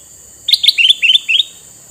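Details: A male sooty-headed bulbul with red eyes, used as a lure for wild ones, pours out a fast bubbling run of about eight liquid notes in one burst, with a steady hiss in the background.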